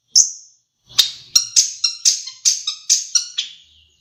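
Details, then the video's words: Caged long-tailed shrike from Madura, with song varied by sparrow and Java sparrow imitations: a high thin note, then a run of about ten ringing, chiming notes at a steady pace. "Suara Burung Cendet Madura Gacor variasi Gereja gelatik wingko"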